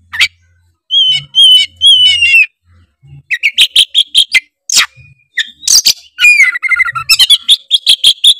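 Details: Loud oriental magpie-robin (kacer) song used to provoke rival birds into singing: three ringing whistles with buzzy overtones, then a fast, varied run of sharp notes, rasps and slurred whistles, with a faint low hum.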